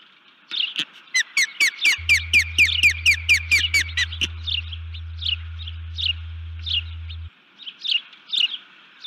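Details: Female osprey at her nest, recorded by nest camera at 04:35 on 1 June 2019, gives alert calls because something upset her. Scattered chirps build into a rapid run of about twelve high, sharp, rising notes, then irregular calls resume over a steady low hum.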